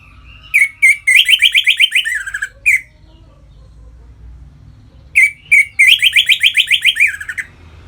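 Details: Energetic ngeplong song from an Orange-headed thrush, used as a lure to bring birds into breeding condition: two matching phrases, each opening with separate sharp notes, then a fast trill of about ten notes ending in a falling slur.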